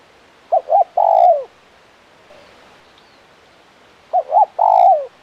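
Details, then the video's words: Spotted dove, a tekukur for pikat bird-luring, giving a phrase of two quick low notes and then a drawn-out coo that sinks at the end, heard twice about three seconds apart. "Suara Burung Tekukur Gacor KUK 1 Mersik"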